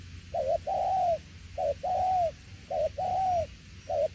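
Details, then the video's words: Đồng tiểu liên nước coo of a spotted dove: three phrases, each a quick wavering double note that runs into a drawn-out arched coo, spaced about a second apart. "Đồng tiểu liên nước chơi quá hay luôn ae ơi"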